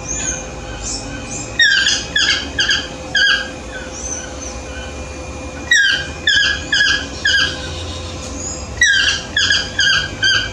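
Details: Ramphastos ambiguus, the Yellow-throated toucan, in morning song: repeated phrases of several croaking, yelping downslurred notes about every four seconds, with quieter squeaky notes between phrases and a low background hum.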